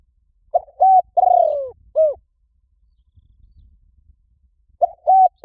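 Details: Spotted dove calling to attract wild doves into a trap: one complete four-part phrase of coo, held note, long falling croon and last coo. After a pause, the opening notes of the next phrase begin.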